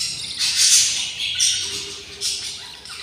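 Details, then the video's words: Nestling budgerigars, a brood of six at day 20, make loud, hissing, rasping begging calls in uneven pulses, with a faint low tone beneath. "couple budgies nest, 06 eggs , 06 eggs hatched, and 06 beautiful chicks are very hungry / day 20"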